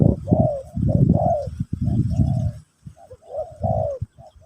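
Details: Spotted dove song of the pesom or kacuk type, sung as a teaching session for a new bird. Two bursts of rounded cooing notes are split by a short silence, with low thumping noise beneath the coos.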